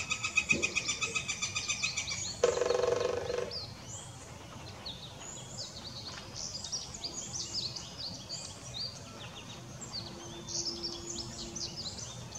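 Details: Northern flicker calling and drumming, seemingly to get attention: opens with a rapid regular run of pulses, then a sudden dense burst of about a second, followed by quieter high chirps from other birds over steady background noise.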